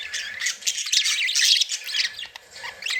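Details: Budgerigars, happy and playing, pour out a loud, unbroken scratchy warble mixed with squawks and quick whistled slides.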